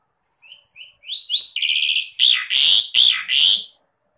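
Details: Asian pied starling song used to coach kept birds: soft rising whistles build into a buzzy trill, followed by four loud harsh grating notes, each about half a second long.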